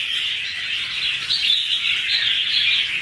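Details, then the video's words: Two red-whiskered bulbuls duet in 2016, producing a short, even stream of rapid chirping notes, roughly two or three per second, with bright whistled accents. "Red-whiskered bulbul ~ two birds duet with good songs"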